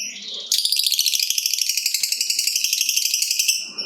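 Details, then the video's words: Lovebird delivering a long trill to spur other lovebirds into song: one unbroken, high, rattling chatter of rapid pulses lasting about three seconds, bright and dense throughout. "Lovebird Gacor Ngekek Panjang"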